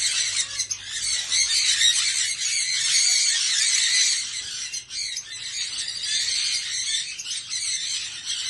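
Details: Many Australian parrots calling while feeding on corn cobs in winter, a loud sustained chorus of harsh chattering squawks with brief dips in volume.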